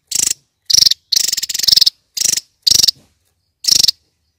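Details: Kingfisher calling in grating, high rattled bursts of fast clicks, some bursts joined into a longer chatter, spaced irregularly with clean pauses between them.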